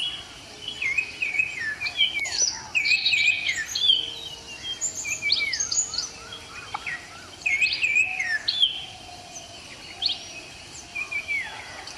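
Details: Breeding adult male Common Iora, displaying and vocalizing, gives bright whistled notes, rising and falling slurs with quick chattery bursts in a busy stream; other birds call faintly behind.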